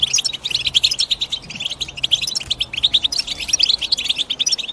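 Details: European goldfinch chirping: dense, rapid high twittering notes in quick bursts, nearly unbroken across the stretch, with a faint low hum underneath.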